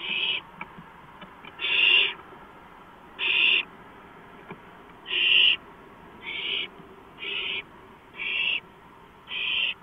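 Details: Owl on a porch at night, 2:05 AM, 5 April 2015; loud, harsh, breathy screeches come about every one to one and a half seconds, eight in all, over faint hum.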